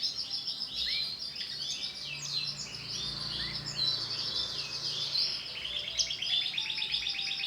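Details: Female canary, bright green, chirping in a dense, continuous high twitter of short notes and trills, with rapid repeated chips and brief slurred whistles throughout.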